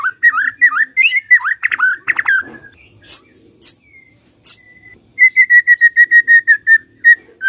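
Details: Morning White-rumped shama song used to prompt a quiet shama to sing: slurred whistled phrases, a few sharp high notes, then a steady run of about ten short repeated whistles with faint low background hum.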